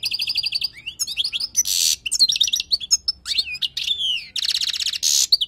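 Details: Teaching song of a wild European goldfinch: it opens with a rapid series of repeated chips, then varied twittering, with harsh buzzy bursts in the middle and near the end.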